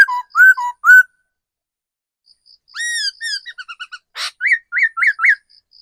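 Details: Decoy laughingthrush from the forest, mature bird, with three quick whistled phrases, a pause with faint pips, then an arched whistle trailing into a rapid stuttered series, one harsh burst, and four short rising whistles.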